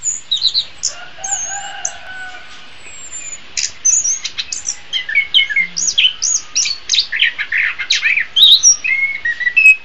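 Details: Orange-headed thrush singing, used to train cage birds in the morning or afternoon; soft drawn-out whistles open, then a lively jumble of sharp chirps, rising slurs and varied phrases picks up and runs on.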